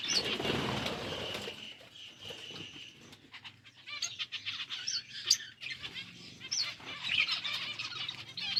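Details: Budgerigars while eating: a low rumbling noise opens, then scattered high chirps and twittering notes come at a quick, uneven pace over a low hum.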